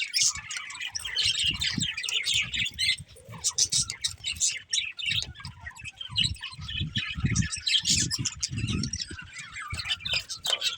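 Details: Budgerigars chirping: dense, continuous warbling chatter of rapid buzzy and squeaky notes, with overlapping bursts from several birds throughout and low thumping handling noise underneath.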